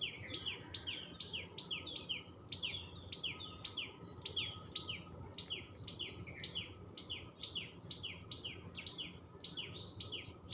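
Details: Tailorbird, known locally as tuntuni, chirping: a steady run of sharp, high, down-slurred chirps, about two each second, continuing throughout over soft background hum.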